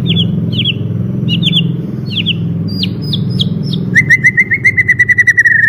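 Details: White-rumped shama song opening with sharp, paired high chip-like notes repeated about once a second, then switching to a fast steady run of short whistles.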